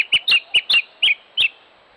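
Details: Two Yellow-faced Honeyeater chicks, in a wind-blown nest reattached to its tree, give six quick, thin, high squeaks within two seconds, a hurried begging chatter as their parents resume feeding them.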